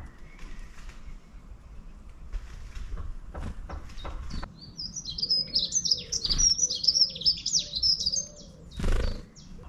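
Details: Long-tailed tit in a town setting: after some scattered clicks and knocks, a clear burst of very high, thin, twittering notes runs for about three seconds, followed by a short noisy thump.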